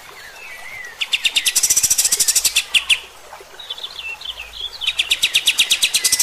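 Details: Kapas tembak singing in the rapid 'tembak' style, used as master song for training other birds: a short whistled phrase, then loud bursts of fast, evenly repeated sharp notes, about eight per second, broken by a brief twittering pause.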